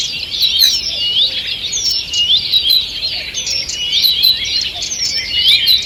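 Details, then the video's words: Morning forest birdsong, 2 June 2023: a thick wash of high chirps, rising whistles and trills from many birds, overlapping continuously, with faint low notes barely present. "Утреннее пение птиц"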